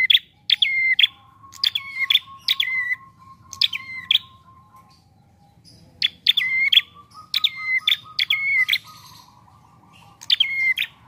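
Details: A prinia's relaxed trapping-lure song, repeated again and again: each phrase starts with a sharp high click, falls into a short whistle and closes with a chip, while a faint thin steady tone runs behind.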